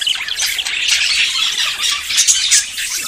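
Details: Budgerigars courting and ready to breed chatter rapidly in short three-second bursts of buzzy warbles and thin high squeaks, getting louder toward the middle.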